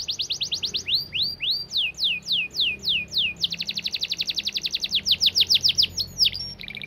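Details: Canary delivering fast, dense 'gacor' song: quick high chips, then slower swooping whistles, then a long rapid run of sharp notes ending in a short low buzz.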